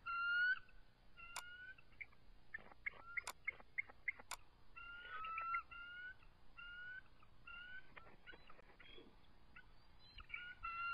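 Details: Two eagles defending their nest against an intruder, 7:44 pm, March 23, 2014; repeated short harmonic piping notes in uneven series, mixed with sharp clicking taps and a steady background hiss.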